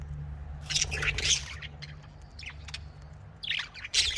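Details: Scattered budgerigar chirps and squawks: a burst of scratchy notes early, a few thin chirps mid-way, then two loud calls at the end, over a low hum.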